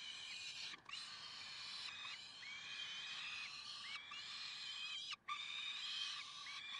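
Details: Karlsruhe peregrine falcons, 30 May 2010, 6:56: loud, almost continuous harsh wailing with bright overtones and many short upward-hooked notes, broken by two brief pauses.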